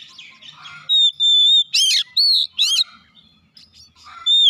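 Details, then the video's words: Training song of a white-rumped shama, used to make caged birds sing. A long pure whistle is followed by loud harsh rasping bursts, then a clear whistle closes, with faint chatter beneath. "KACER MANAPUN DIJAMIN CEPAT BUKA SUARA"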